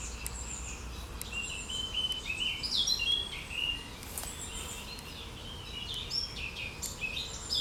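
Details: Birds singing outdoors on 9 June 2020, high whistled phrases and short chirps from more than one bird, scattered across the clip over steady background noise.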